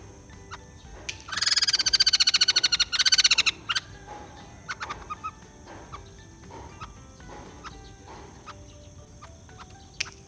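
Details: A white-crested laughingthrush, a purchased bird that was reluctant to sing, bursts into about two seconds of rapid, harsh, stuttering chatter, then falls quiet. Only scattered faint ticks follow.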